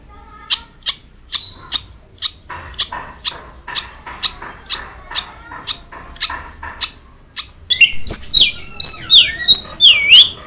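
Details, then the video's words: Masteran of a long-tailed shrike (cendet) for coaxing a quiet bird to sing: a run of sharp clicking ticks about three per second, then loud swooping whistled and buzzy notes rising and falling. "Masteran Wajib Untuk Burung Cendet Malas bunyi"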